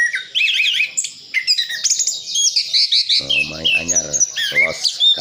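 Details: Isian full song of an orange-headed thrush from Sidoarjo, East Java: warbled whistles and chattering phrases, joined in the second half by a lower harsh, harmonic voice-like sound.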